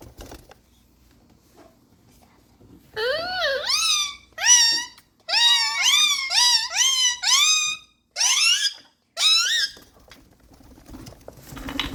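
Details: Talking pet ringneck parakeet chattering nonstop in quick, shrill, speech-like syllables that rise and fall in pitch.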